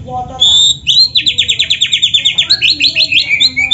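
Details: Singing black-breasted kacer with canary-style phrases, used as a lure for other kacers: a clear high whistle, then a fast rolling trill of about fifteen rhythmic notes, ending in chattering twitters.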